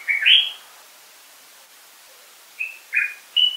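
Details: Common bulbul (Pycnonotus barbatus), a songbird of northeastern, northern, western and central Africa: a short burst of rich, slurred whistled notes, a pause, then three brief whistled phrases in quick succession against a quiet background.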